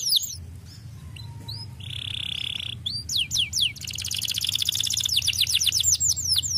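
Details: Canary song used to stimulate lazy canaries into singing; a varied run of high falling whistles, a steady buzzy tone, then a rapid rolling trill and swooping notes, very loud and close.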